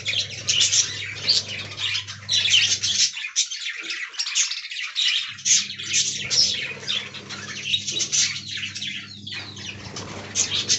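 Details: Colony of budgies in an aviary, described as talking, giving harsh squawks and fast chirps in bursts; a low hum stops briefly partway through, then resumes under renewed chatter.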